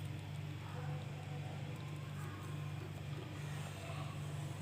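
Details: Steady low engine-like hum with faint background noise and no animal calls.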